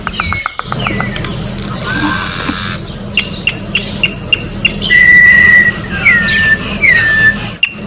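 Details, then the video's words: Orange-backed troupial singing in nature, tutoring song: brief chips, a hissing noisy stretch, then scattered notes leading to a long level whistle and two hooked falling whistles, with low hum in the background. "Corrupião Cantando na Natureza melhor canto pra encarte Corrupião"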